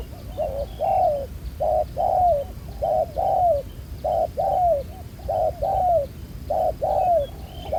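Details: A wild-caught spotted dove with a dark spotted collar coos steadily near a ground decoy trap: rhythmic low two-note phrases, a clipped note then a longer downward-bending coo, about one pair every second and a half.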